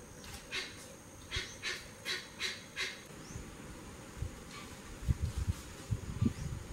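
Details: Parakeets feeding on papayas call in a quick series of six or seven scratchy, harsh notes, then fainter calls follow amid low knocking and rustling sounds.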